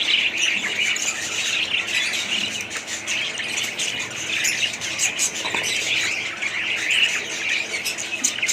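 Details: Dense budgerigar chatter with many high squeaky chirps and warbles running together without pause, suggesting several birds calling at once.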